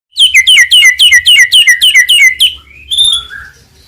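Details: Murai batu (white-rumped shama), a Medan type, singing a full, varied song used to provoke other birds into singing: a rapid run of about a dozen repeated whistled down-slurred notes, then longer rising and falling whistles.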